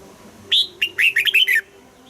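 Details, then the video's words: Red-whiskered bulbul being trained to sing in the morning in the prized 'âm kép già rừng' double-note mature style; one quick phrase of about six bright warbled notes, the first high and rising, the last sliding down. "Luyện giọng cho chào mào hót sáng, ép chào mào hót âm kép già rừng hay tuyệt!"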